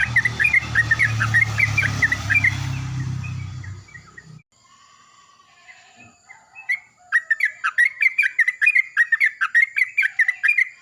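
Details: Yellow-vented bulbuls calling back and forth in the morning: bubbly chirps under a low rumbling noise, a quiet stretch, then a loud rapid run of gurgling notes repeated over several seconds.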